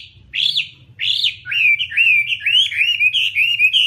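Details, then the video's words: Two loud rising and falling whistles from a Chinese hwamei lead into a fast, rolling warble of linked, wavering notes. "Garrulax canorus/ Birds singing"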